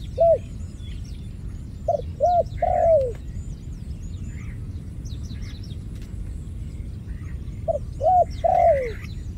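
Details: Cooing dove with a single coo, then a phrase of two brief coos ending in a long descending note, repeated about six seconds later. Scattered thin high chirps from other birds over a low steady rumble.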